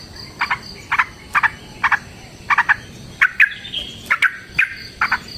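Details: Sooty-headed bulbul, chatty rolling song used as a lure for other birds. Paired, clipped notes repeat roughly every half second, with a fainter higher whistle behind them.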